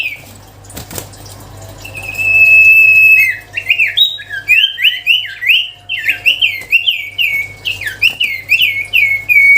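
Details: Sirtu cipow songbird starting with a long, steady whistle, then breaking into a dense, rapid string of wavering, zigzag whistled notes that continues without pause to the end.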